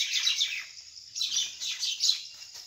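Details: Common mynas quarrelling over a nest site in a date palm hollow, rural countryside, early evening on 6 May 2021; rasping, chattering bursts come in waves, loud at the start, again after one second, and near the end.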